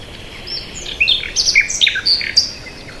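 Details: Bird chirping: a lively sequence of short, high, clear chirps and quick slurred notes, several per second, over soft background hiss.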